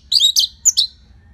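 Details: Orange-headed thrush song used as a lure for training songbirds: four quick, piercing high notes in two pairs, each a squeaky slurred chirp, over faint low background hum.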